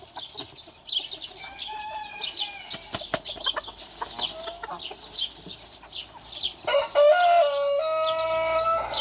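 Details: Rooster crowing to challenge another, small versus big rooster; a quieter crow early, then a loud, sustained crow rising and holding for over two seconds near the end, against steady twittering of small birds.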